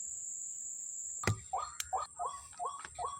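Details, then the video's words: White-breasted waterhen on a Sunday morning at Kepasar, where many are present: after a sharp knock, a run of five hooked, rising-then-falling calls about every third of a second, over a steady high insect whine. "NYANGGONG BURUNG RUAK RUAKNYA BANYAK SAAT PAGI HARI MINGGU DI KEPASAR"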